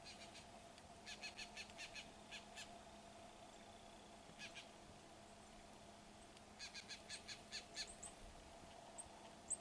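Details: Golden-fronted Woodpecker (Melanerpes aurifrons) in South Texas giving short bursts of sharp, harsh notes, about five a second, in three separate runs over a steady low background hum.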